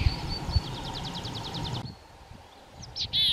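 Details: A tree pipit (Anthus trivialis) singing in pine forest at Bzenec, Czech Republic, on 7 April 2019: a rapid trill of about a dozen high, sharp notes, then a break and a few louder buzzy, slurred notes, over low rumbling background noise.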